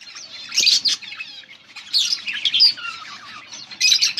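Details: Budgies of mixed colours chirp in loud clustered bursts of high scratchy notes and short whistles, separated by softer twittering.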